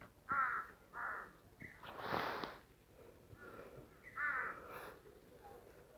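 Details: Crows in a forest village with apple orchards and snowy mountains in the Tirthan Valley, Western Himalaya, giving hoarse, nasal caws, several short ones spaced about a second apart, then a longer, harsher caw, over quiet background.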